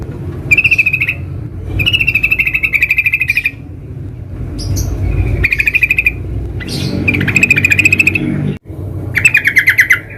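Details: Sooty-headed bulbul heard in the wild, delivering a series of buzzy, rapidly pulsed rattles of about one to one and a half seconds each, spaced by brief silences, with low background rumble.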